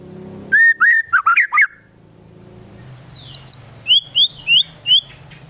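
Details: Gacor White-rumped shama in full song, mixed with Konin and Kinoi filler sounds: a burst of twisting whistled notes, a short gap, then a series of high clear slurred whistles repeated about twice a second over faint background hum.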